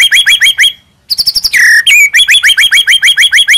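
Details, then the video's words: Full-isian masteran song from a white-rumped shama: quick repeated upslurred chips, a short silent break, a fast stuttering run into a buzzy descending note, and the rhythmic chipping returns. "MASTERAN MEWAH MURAI BATU FULL ISIAN"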